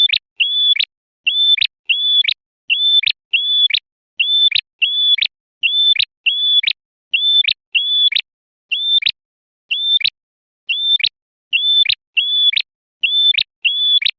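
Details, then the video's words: Male prenjak merah, a prinia, singing a clear song used as a lure for trapping wild birds and provoking rival males: short sharp hooked whistled notes, mostly in pairs, repeated steadily about every half second in a clean, even loop. "SUARA BURUNG PRENJAK MERAH JANTAN"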